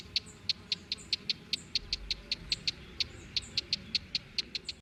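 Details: Small young white-eye at feeding, eating greedily. Insistent, evenly repeated short high peeps, about four a second for the whole stretch, with fainter higher notes between.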